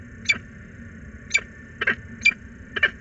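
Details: Female peregrine falcon at a nest box in Włocławek, calling repeatedly for her mate on an April 2022 afternoon; harsh, scratchy calls come in short bursts about every half second to second, with a steady low hum beneath.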